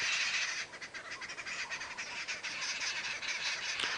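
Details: Arrow-marked babblers cackle in a harsh, continuous chorus of raspy, churring chatter during a 7:30 AM sunrise safari drive on 15 April 2017, near where a guinea fowl was apparently killed; the babblers are likened to witnesses.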